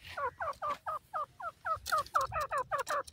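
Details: Grey francolin, known locally as teetar, giving a fast series of hoarse, two-toned notes that swoop downward, about six per second, all closely alike and rising slightly in strength toward the end.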